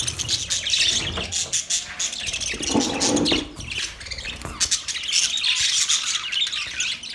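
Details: Mating budgerigars give continuous high, buzzy chatter with rapid chirps. A brief lower, softer sound comes near the middle.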